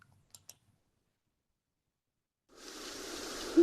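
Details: A few sharp clicks in near silence, then a broad rushing hiss rises after two and a half seconds, ending in a short thump; no animal voice.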